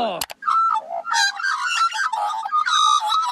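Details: Australian magpie (Gymnorhina tibicen) carolling song: loud, flute-like warbles with clear whistled notes and gurgling phrases tumbling over each other, opened by a brief sharp click; magpie song can reach about 70 dB.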